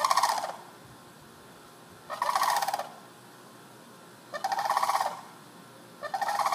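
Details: Loud, wandering sandhill cranes in a neighborhood, taped through a window screen, give harsh trilled rattles roughly every two seconds, each burst around half a second to a second long, over a faint background hiss.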